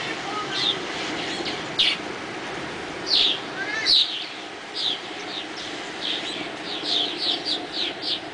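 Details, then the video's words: Several swallows clamouring at dawn: short, high chirps and twittering notes in scattered bursts over a steady background hiss. "EL ALEGRE VUELO DE LAS GOLONDRINAS"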